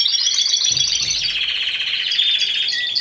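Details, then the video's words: Timbrado Español canary singing alone in category C2 at a song competition, 26 November 2015. A continuous, rapid, high rolling trill holds steady throughout, its pitch dipping slightly toward the end. "Καναρινιών Φωνής Timbrado Español"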